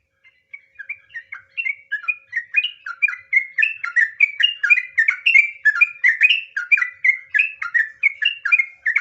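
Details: Yellow-vented bulbul, called trucukan, in a long ropel song: it starts with spaced whistles, then speeds into a continuous, evenly pulsed chatter of rich slurred notes, about three per second.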